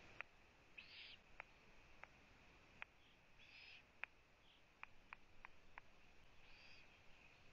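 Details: At a Latvian eagle-owl nest camera on June 1, 2017 at 15:01, as the mother visits her owlets, Eurasian eagle-owls give several short hoarse hissing bursts with sharp dry clicks at irregular intervals over a steady background hiss.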